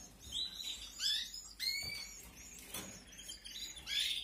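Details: Being fed by their parents, canary nestlings from an aviary breeding season in 2021 make sharp, piercing squeaks and upward-sweeping peeps in short clusters, with a faint tap partway through.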